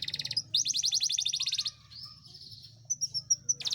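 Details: Yorkshire canary singing, used to stimulate quiet canaries and encourage mating: fast trilled phrases of rapid high notes, a pause, then clipped sharp whistles and a returning trill; faint low hum underneath.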